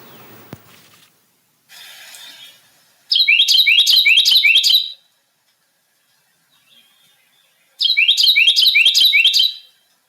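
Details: A male Carolina wren sings two loud bursts of rapid, rolling 'teakettle' phrases, about five quick ringing notes each, separated by a pause, with faint rustling between.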